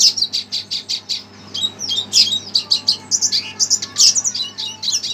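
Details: Excited red siskin responding to playback: a rapid series of high, metallic chirps repeated in quick pulses, then a brief pause before a denser twittering, squeaky stretch.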